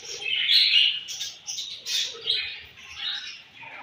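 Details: Budgerigars at morning feeding time giving short bright chirps and warbled twitters in quick separate bursts, fading toward the end.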